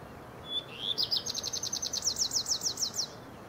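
A redstart sings a brief phrase: one clear opening note, then a quick, even run of about a dozen high, slurred notes over faint background hiss.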